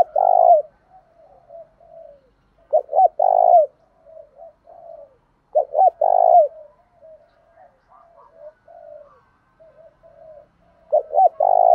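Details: Spotted dove giving Thổ đồng-style coos meant to goad rivals: three phrases about four seconds apart, each two short throaty notes and a drawn-out burred coo, with soft low murmurs between them.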